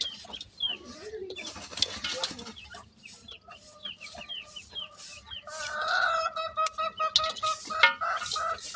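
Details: Young partridge chicks giving a busy run of quick rising chirps, later joined by louder, longer harmonic peeps, with scuffling and tapping sounds throughout.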